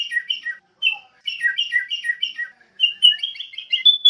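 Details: Sooty-headed bulbul: clear chirped phrases, some paired and falling, followed by a quicker run of rising whistles ending in a long thin level note.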